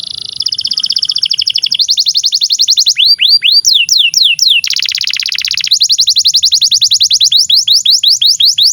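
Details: Canary tutor song for juvenile canaries and birds that have stopped singing. Dense high buzzy trills are broken by swooping whistled notes, then a long run of fast, evenly repeated chips.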